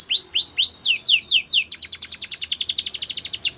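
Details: Belgian canary singing: three rising-then-falling whistled notes, then a run of downward-sweeping notes that speeds into a rapid, rolling trill of about ten notes per second.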